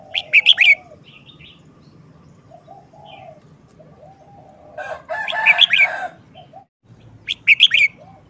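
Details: Red-whiskered bulbul showing off its short-phrased song: three separate bursts of quick liquid whistled notes, the middle one mixed with a rustling, flapping-like noise, with pauses and soft background hum between.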